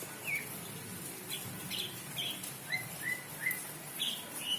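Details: Greater green leafbird in breeding condition after a rain bath: a run of short, clear whistled notes, several down-slurred, repeated about twice a second over a noisy, hissing background.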